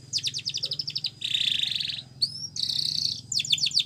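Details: Canary in Spanish Timbrado style, song for teaching canaries: a pulsed chattering run, then a loud rolled buzzing trill, a thin rising whistle, another rolled trill and quick chips, over a faint low hum.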